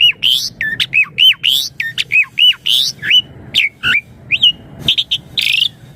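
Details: Asian pied starling song played to make young birds answer: repeated loud hooked whistles, each with a harsh squawky edge, roughly two per second, then sparser slurred notes and a final harsh burst.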